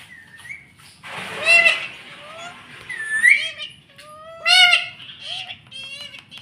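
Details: Caged pet ringneck parrot repeating "mummy" in a talking voice: harmonic, nasal two-part utterances, the loudest at the start and toward the end, mixed with short rising chirps and a soft background hum.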